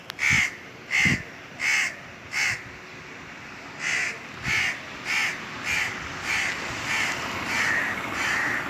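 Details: Indian crows cawing from the top of a tree on a very hot summer day: a run of harsh, hoarse caws repeated roughly every half second to second, steady and insistent, with no other clear sounds.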